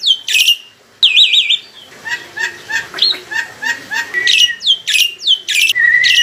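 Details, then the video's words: Caged adult black-winged myna kept in a songbird collection, singing loud, melodious full song used as a lure: repeated sharp downslurred whistles, a rapid run of short chattering notes in the middle, then more loud slurred whistles. "PANCINGAN BURUNG JALAK PUTIH FULL ISIAN"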